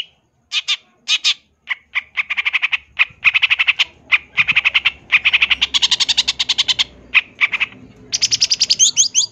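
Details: Fill-in-packed song of a champion long-tailed shrike for bird tutoring: long runs of rapid, evenly repeated harsh rasping notes, broken by short gaps and ending in quick squeaky notes.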